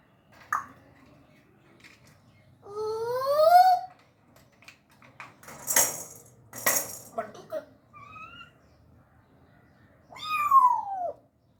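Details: A talking grey parrot gives speech-like phrases in Urdu and Hindi, with rising tonal sweeps and clicks in short bursts a few seconds apart, with faint indoor clatter.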